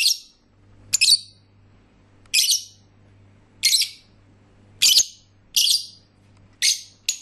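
Lovebirds give harsh, shrill chirps in bursts, about eight over seven seconds, high-pitched and rasping, with a faint steady hum behind them indoors.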